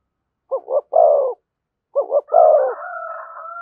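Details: Spotted dove cooing in the thổ voice with thúc and kèm styles: two short throbbing notes then a longer drawn coo, given twice, with a thin sustained whistled tone running over the end.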